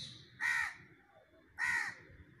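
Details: Crow calling in a duet with a parrot: two strong, raspy caws about a second apart, each short and nasal, over quiet background hum.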